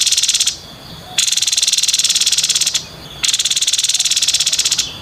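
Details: Buzzy 'konslet' song of a grey-headed babbler. Three long, harsh, evenly pulsed rattles follow one another with short quiet gaps between them.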